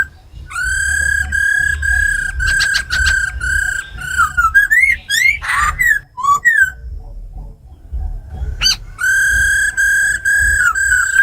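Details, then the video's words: Female laughingthrush with ro khẹt calls alongside a tame black laughingthrush in wild-style song, played to fire up wild-caught birds. Long steady ringing whistles, harsh buzzy bursts, quick rising and falling whistled phrases, then more sustained whistles. "Tiếng chim khướu mái ro khẹt + khướu mun thuần hót giọng rừng kích bổi căng lửa"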